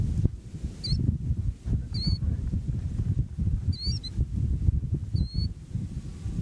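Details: A Killdeer calls near Spencer, South Dakota, on 30 May 1998, a few miles from an F4 tornado. It gives shrill, high, slurred calls, one every second or so, over a steady low rumble of wind.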